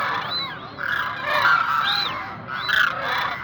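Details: Koonj cranes, the demoiselle crane, call as a group: overlapping, nasal, trumpet-like honks. High, arched notes return about every second over the continuous murmur of the flock.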